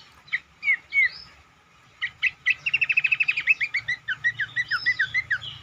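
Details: Cingcoang singing as a lure for other birds: a few loud slurred whistles, then a rapid rattling series of short notes flowing into repeated falling whistled phrases.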